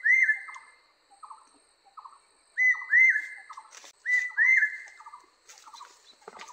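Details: Barbet song with three bursts of paired rising whistles, each followed by short pulsed lower phrases, and a scratchy crackle near the end.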